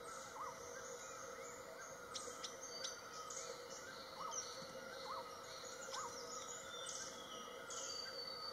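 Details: A Beautiful Nuthatch in Bhutan, eastern Himalayas, gives its strange insect-like call: short, arched mid-pitched notes about once a second, over a constant high insect drone and scattered sharp chips from other birds.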